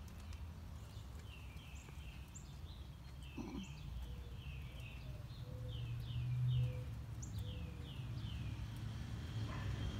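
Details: Mockingbird singing enthusiastically on a morning walk, running through its repertoire: repeated series of downslurred whistled phrases, several similar notes in a row before switching, over steady low rumble and footsteps outdoors.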